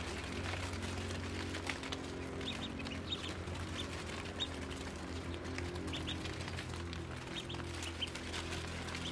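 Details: Newly hatched yellow Muscovy ducklings, a brood of 25 hatched by a white Muscovy duck, giving short high peeps in small scattered clusters throughout, heard over a steady low hum.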